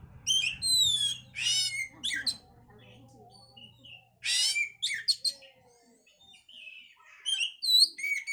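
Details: Song of an oriental magpie-robin meant to raise breeding condition: loud, varied phrases of sweeping whistles and dense chirp bursts alternating with quiet gaps, faint low hum early on.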